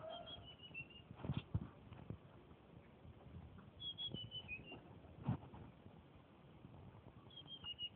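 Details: Tledekan flycatcher, a caged bird still in training, singing in the Purworejo style. Three short, high whistled phrases step downward, spaced a few seconds apart, over steady low background noise and occasional clicks.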